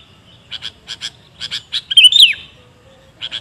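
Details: Sooty-headed bulbul lure recording: a run of short, evenly spaced chip notes leads into a rich, slurred whistle that drops at the end, followed by a pair of soft notes.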